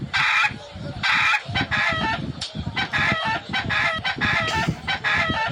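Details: Fighting roosters crowing again and again, with loud rasping cock-a-doodle bursts that follow each other closely over about five seconds, above a steady low rumble of scuffling and background noise.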